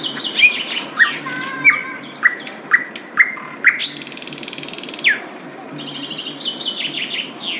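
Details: Melodious wild song of an Asian brown flycatcher: a string of short, sharp downslurred chirps about half a second apart, a brief buzzy trill, then softer high twittering phrases.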